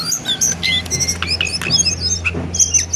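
Lesser shortwing singing a fast, high jumble of thin whistles and chirps with quick pitch jumps, over a steady low electrical hum.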